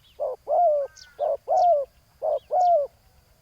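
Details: Spotted dove calling during ground decoying aimed at a wild rival. Three pairs of coos sound, each a short hoot then a longer falling note, about one pair per second. Faint high bird chirps come in between.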